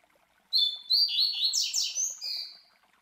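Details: Classic Tui Tui Zel Zel song of a captive master Double-collared Seedeater (Coleiro), played to teach young birds; paired high whistles, descending slurred phrases, two steep falling sweeps and a final drawn-out whistle.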